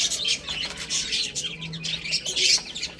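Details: Baby chickens feeding and playing, with bright, shrill peeps in rising and falling bursts and a faint low hum in the middle.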